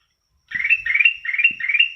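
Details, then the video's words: Sooty-headed bulbul delivering four rapid, rolling, rising chirps run together into one bubbly burst, with a couple of faint low clicks below. "Kicauan Kutilang Emas"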